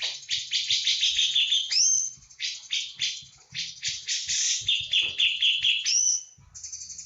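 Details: Javan cucak jenggot in full 'tembakan' song, with dense harsh chattering notes almost throughout, punctuated by two bright upslurred whistles.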